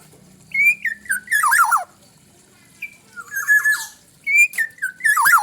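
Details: A black-naped oriole gives fluty, slurred whistles with coarse squawky ends, in three close phrases; a low hum sounds at the start.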